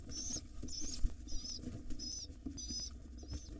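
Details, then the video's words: Wild pigeon nestlings beg as the father drops in to feed them in the morning, giving six evenly spaced, high, wavering squeaks about every half second over soft shuffling and low rumbling noise. "Pigeon nestlings go crazy when their Dad drops in to feed them."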